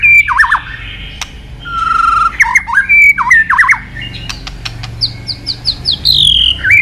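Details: White-rumped shama (murai batu) pouring out isian-filled song: looping whistles, a short buzzy note, sharp clicks, and a rapid descending series of high whistled notes.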